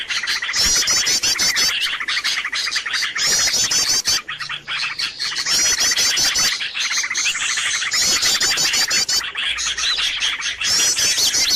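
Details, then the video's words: Bird lure sound meant to draw birds in: bursts of high, fast-trilled chirping from several birds, rising and falling in waves, with short quieter gaps and a low hum underneath. "SUARA PIKAT BURUNG RIBUT"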